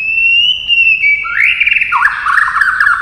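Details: Provoked white-rumped shama singing a long-phrased fighting song: a sustained clear whistle that steps down, then a rising slide into a harsher, wavering, slightly buzzy phrase.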